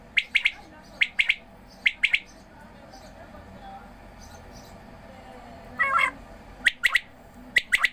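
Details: Sharp paired chirps from quails being given water, repeated about once a second, with a quieter stretch of hiss and a brief splash-like rush before the chirping resumes.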